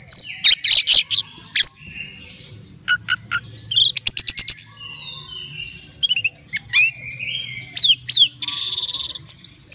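An orange-headed thrush sings a rich, varied run of loud whistles, quick chattering bursts and sliding notes in short phrases, over a faint low hum.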